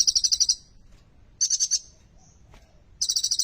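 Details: Sunbird; song; used to stimulate silent caged birds to sing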